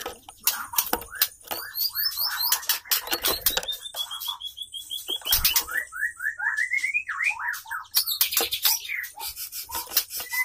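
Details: White-rumped shama, male courting a female in a mating sequence; rapid series of short rising whistles, one long run of steadily climbing notes, broken by frequent sharp clicks and fluttering noise.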